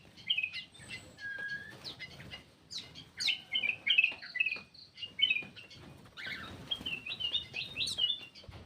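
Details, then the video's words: Black-crested bulbul lure call: bright whistled and chirped phrases, short rising and falling notes in rapid bursts with brief pauses, one longer steady whistle early on, faint low background rumble. "SUARA PIKAT KUTILANG EMAS"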